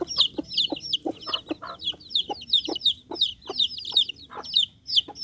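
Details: High piping cheeps from Bangkok chicken chicks, each a short descending note repeated about three times a second, over soft pecking taps.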